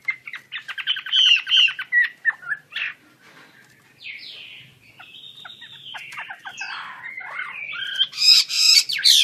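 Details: Chinese hwamei singing: a run of rapid repeated notes, then slurred whistled phrases and a loud burst of sharp notes at the end.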